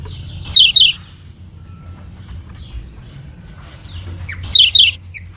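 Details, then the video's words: Lombok yellow kecial (lemon-bellied white-eye) in a song-teaching recording for other birds: two quick pairs of piercing downslurred chirps separated by a few quiet seconds with faint short notes and low hum. "KECIAL KUNING PANCINGAN UNTUK BURUNG BELAJAR BUNYI DAN MALAS BUNYI"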